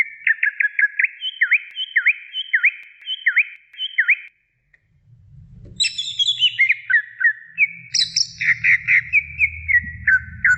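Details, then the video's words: Greater green leafbird song meant for training other birds: a row of sharp, V-shaped whistled notes repeated about every half second, a short silence, then varied higher whistles and downward slurs over a faint low hum. "suara masteran cucak ijo gacor"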